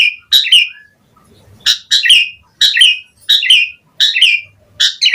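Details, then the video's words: Asian pied starling repeating a short phrase of buzzy, squeaky notes with a scratchy ending, roughly every second, separated by brief silences, as part of varied full-filler song. "JALAK SUREN GACOR FULL ISIAN Mompa"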